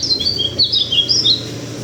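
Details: Brief high-pitched warble from a local white-eye of Sulawesi, Indonesia: a string of clear, whistled notes that slide up and down, delivered quickly for under two seconds.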